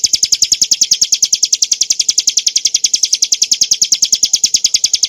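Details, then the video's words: A Bar-winged prinia's high 'nembak' song, meant as tutor material for caged songbirds, delivered as a steady machine-gun series of bright, sharp chips, evenly spaced and roughly eight per second, on a clean background. "kicauan burung ciblek gurun untuk masteran & pancingan - suara jernih ngebren nembak"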